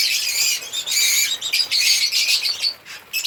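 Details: African lovebirds singing and chirping: dense, shrill, high-pitched chatter of overlapping squeaky notes, broken by brief dips between bursts.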